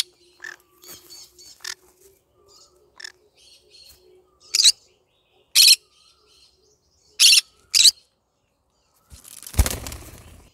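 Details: Pet yellow-sided green-cheeked conure calling in the morning: loud, harsh broadband squawks in short bursts, several spaced about one to two seconds apart, with softer chirps between and a clattering noise near the end.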